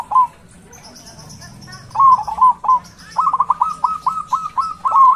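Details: Local zebra dove with a big, loud voice, kept as a lure to stir other doves. A lone coo opens, then after a pause come stuttering bursts of clipped, rising-falling notes in quick runs. A faint, thin high chirping sounds in the background.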